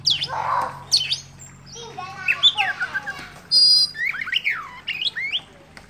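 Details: Oriental magpie-robin spreading its tail while chattering ngobra-style; rough, scratchy phrases mixed with sharp high whistles and quick downslurred chirps, irregular pauses between bursts, and a steady low hum in the background.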